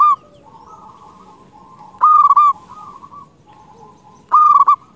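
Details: Local Zebra dove used as a lure for wild doves: short loud bursts of stuttered, bubbling coos recurring about every two seconds, with a quiet background of other doves cooing.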